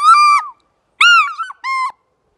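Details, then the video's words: A captive African fish eagle gives its morning call: three loud, ringing yelps over about two seconds, each a clear nasal note with a slight downward bend; no other sounds. "The call of the African Fish-Eagle"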